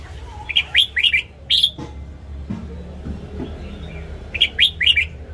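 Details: Caged red-whiskered bulbul giving morning song used to train other caged birds: two bursts of three to four quick, bright warbled notes separated by a quiet pause, over a steady low hum.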